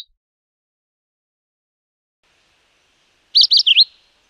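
A Philadelphia vireo gives one short, high phrase of three quick slurred notes, rising then dropping, after a long silence.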